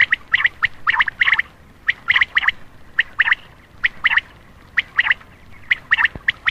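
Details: Night-time common quail call meant to draw in males: clipped, rasping notes in tight clusters of two or three, about once a second, separated by short silences against a quiet background.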